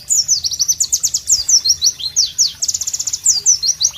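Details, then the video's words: A white-eye (Pleci) sings a fast, high, continuous twitter of sharp sweeping notes, several per second, with a faint low hum beneath, in a tropical ambience. "Pleci Bird Sounds Loud, Sharp and Melodious"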